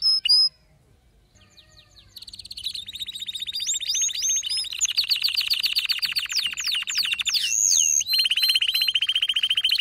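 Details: After a brief chirp and near silence, an excited male canary launches into a long, even, rattling trill, interrupted by swooping whistles before the fast rolled trill resumes.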